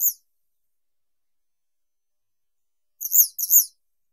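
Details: One short high chirp from a western yellow wagtail (Motacilla flava), a three-second pause, then a rapid pair of sharp, slightly rising notes.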